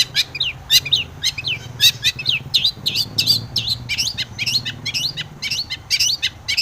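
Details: Long-tailed shrike singing as a lure for other shrikes, steady stream of short squeaky warbled phrases, several per second, over a faint low hum.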